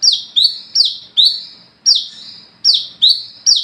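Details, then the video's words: Olive-backed sunbird (wiceh) singing energetically at night in gacor ngalas ngeplong style, used as a lure to call and train others: sharp high notes sweeping steeply downward, repeated in bursts with uneven gaps, clean background. "SUARA BURUNG WICEH (KOLIBRI KELAPA ) GACOR NGALAS NGEPLONG / PANCINGAN KOLAP"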